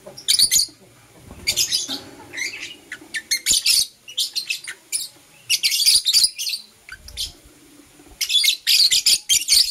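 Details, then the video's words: Caged lovebirds, a Blue Opaline and a Parblue Euwing Opaline, chirping in the morning: bursts of harsh, high, buzzy chirps and squeaks in rapid clusters separated by short pauses, with faint clicks and rustling between calls. "Lovebird Chirping Sounds"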